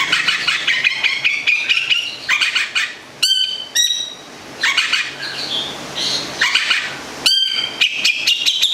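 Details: Central Javan long-tailed shrike from Gedong Songo giving a busy chattering song of mixed warbled notes, rising squeaks and a few sharp clicking strikes, with brief pauses between bursts.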